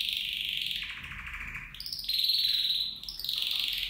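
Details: A copper mosaic canary, kept in a cage with two males and two females, sings a continuous run of bright, high trills and rolling phrases, shifting pitch every second or so, with no other sounds.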